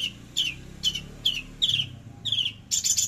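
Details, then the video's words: Javan bush lark, 13 December 2022, giving short descending high notes repeated about every half second, ending in a louder buzzy burst, with low background hum. "Branjangan javanica lepas trotol tembakan sadis"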